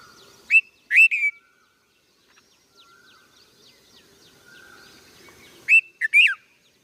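A young red-vented bulbul gives loud, bright chirps in two bursts, each a quick two- or three-note cluster, with faint twittering from other birds in between.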